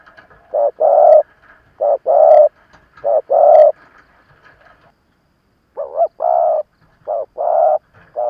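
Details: Decoy spotted dove calling to provoke rival birds: three strong two-part coos, a pause, then more paired coos, with fainter higher cooing from another dove faintly behind.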